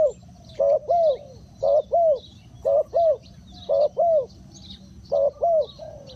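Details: Spotted dove used as a lure for wild birds, repeating clear double coos, a brief note and a longer arched note, in groups separated by short pauses. Light chirping of small birds sounds in the distance.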